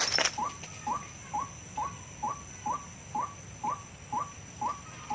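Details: Wild-recorded white-breasted waterhen sound used as a trapping lure: clipped rising notes at a steady beat, roughly two per second, after a short burst of noise at the start.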